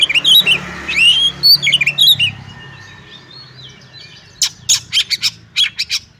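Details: Fighting song of a caged oriental magpie-robin (kacer): bright whistled phrases with looping upslurs in the first two seconds, a quiet pause, then a string of sharp harsh clicks and rasps repeated roughly every quarter second.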